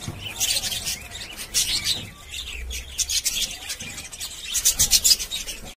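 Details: Budgerigars kept in a cage give quick high chirps and scratchy warbling notes in uneven bursts, louder near the end, with faint rustling in the background.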